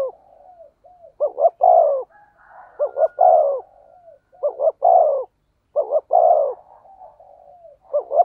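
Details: Spotted dove with a 'thổ sấm' (thunder-like) voice, played as a lure to stimulate wild doves. Several phrases of two short clipped notes and a longer, lower, falling coo. A faint tonal whine runs between phrases.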